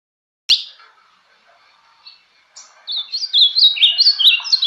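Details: Ultramarine grosbeak (azulão) singing the Bahia-style song: a sharp click, then a quiet pause and a rapid run of warbled, slurred whistled notes leaping up and down, bright and clear.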